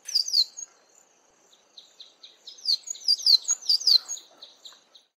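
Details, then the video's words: A male Cabanis's bunting singing from the top of a tree gives a bright, high phrase of quick sliding chirps and short repeated notes, then pauses briefly before a second, fuller burst. "CABANIS'S BUNTING singing"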